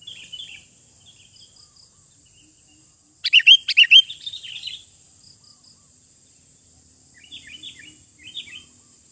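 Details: Sooty-headed bulbul singing in the wild outdoors: one loud, quick phrase of fluid, bubbling whistled notes in the middle, with soft scattered chirps before and after against a thin high background hiss.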